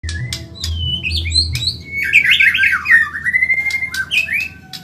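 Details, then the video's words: White-rumped shama of the Medan type, a training recording for caged birds, fast and persistent: rich, loud whistled song with sweeping notes jumping up and down and a quick warbled run, over a steady low hum. "Masteran burung murai Medan super cepat gacor"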